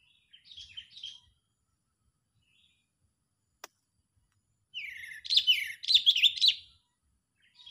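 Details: Agitated sooty-headed bulbul lure call for bird trapping: a short soft chirp burst, a single click, then a loud two-second flurry of harsh, rising and falling chattering notes.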